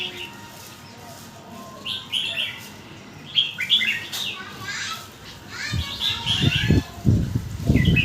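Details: Quick-linked song phrases of a red-whiskered bulbul, a run of lively whistled and warbled notes, with low thumping and rustling noises nearby toward the end.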